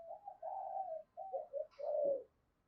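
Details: Decoy spotted dove calling to draw in wild doves: a soft series of low, mellow coos, a drawn-out first note, then two shorter clipped notes and a final fuller, slightly falling coo, with a quiet background.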